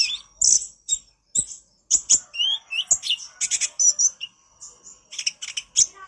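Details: Konin (olive-backed sunbird) in full voice on a master recording for training birds: fast, high-pitched chirping chatter with short buzzy slurs and staccato ticks repeated in irregular bursts.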